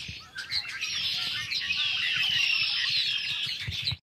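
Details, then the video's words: A big noisy spring flock of Red-winged Blackbirds recorded in early March 2010 calling and singing together: a dense chorus of overlapping chattering notes and high whistles, with a few slurred trills rising above the constant din. "Noisy Red-winged Blackbirds"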